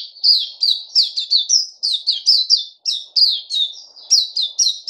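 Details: White-eye (puteh), a caged bird on fruit food, 29 August 2020, singing clean rapid high twitters, each chirp a sharp downslur, in tight, evenly pulsing runs with almost no background.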